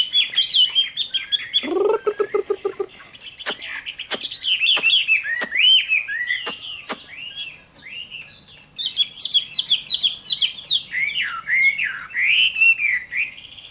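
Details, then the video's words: Summer midday fighting song from a Chinese hwamei: high whistled phrases, a short low pulsed burst, sharp clicks spaced about every half second, then a long bubbling sequence of looping, up-and-down whistles. "HỌA MI CHIẾN HÓT TRƯA HÈ"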